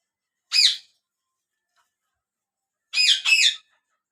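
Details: A yellow ringneck parakeet, kept as a talking pet bird. One harsh, raspy squawk is followed after a pause by two more in quick succession, all in an otherwise silent room.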